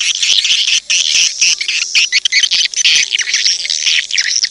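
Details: Edible-nest swiftlet call used as a lure for swiftlets: loud, dense high-pitched twittering with buzzy, rolling chirps, broken by a few short pauses.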